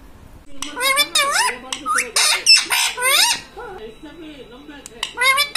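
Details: Pet ring-necked parakeet indoors mimicking human words, said to be "mummy papa" and "radhe radhe"; a run of squawky, nasal syllables with rising and falling tones, in bursts separated by short pauses.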